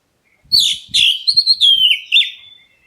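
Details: Black-breasted Oriental magpie-robin calling to provoke other birds into answering: loud, high, slurred whistles sliding downward, run together in a rapid phrase of about five notes, with faint low knocking beneath.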